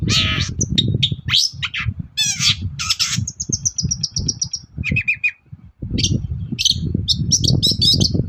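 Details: Long-tailed shrike in full morning song, used as a lure to make other shrikes answer: a varied, fast chatter of buzzy rattles, sharp whistled notes and trilled phrases, over a steady low rumble.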